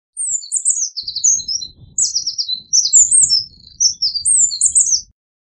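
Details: Eurasian wren singing: rapid high-pitched phrases of sharp notes and short trills in three bursts, each about a second long, with faint low rumbling beneath.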